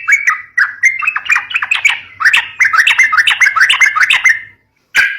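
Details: Yellow-vented bulbul singing in fighting style, meant to coax young birds: hurried bubbling phrases of slurred chirps, a short pause, then one final burst of notes.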